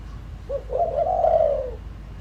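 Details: Single phrase from a decoy spotted dove calling to lure wild doves: a brief short hoot, then a long, sustained mellow coo that gently falls away.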